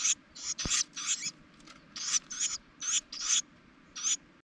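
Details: Inside a spring nest of a Carolina wren family atop a propane tank, where the mother feeds her nestlings: a rapid string of about nine harsh, scratchy high bursts, each brief and separated by short gaps, plus one sharp click.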